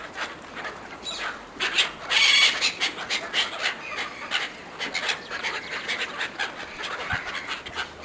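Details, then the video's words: Seagulls fighting over food given to them, a crowd of birds giving harsh, rapid, overlapping cries, with one loud shrill squeal standing out early on. "Seagulls fighting over food, Seagulls calling"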